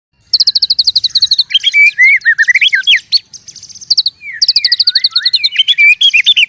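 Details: White-rumped shama fighting in the forest: rapid bursts of sharp high chirps alternating with looping whistled phrases, a brief pause midway, then the fast chattering series resumes with more whistles.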